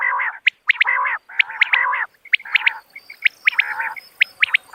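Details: Common quail sound: longer harsh, nasal, harmonic notes alternating with bright, piercing, short notes in pairs and triplets, fading toward the end.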